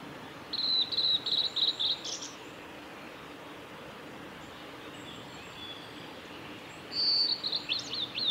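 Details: Male blue-and-white flycatcher recorded 17 May 2020 on the Kanazawa forest road, Lake Miyagase, Japan; a rapid series of short whistled notes, then a long quiet gap with steady background hiss, then another quick burst of notes.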